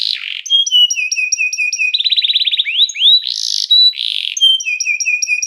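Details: Canary calling other canaries to sing, a recording used for training canaries. Harsh buzzy bursts alternate with rows of stepped whistled notes and a fast rattling trill, all loud and close.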